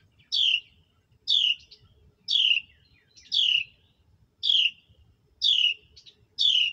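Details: As a mother bird feeds her hatchlings, high piercing chirps, each sliding downward, repeat steadily about once per second over quiet low rustling.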